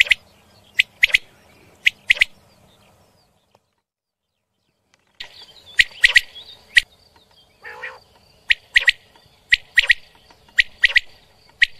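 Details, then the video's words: Quail calls come as sharp, high, clipped notes in quick pairs and triplets, broken by a brief silence, with a faint steady whine behind the later calls. "Batair ki awaz |Quail voice |Quail sound"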